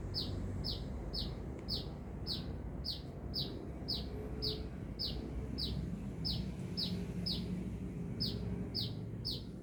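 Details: Persistent sunbird song from Binjai, nearly twenty sharp, high, downward-sweeping chirps delivered about twice a second, with a constant low rumble beneath.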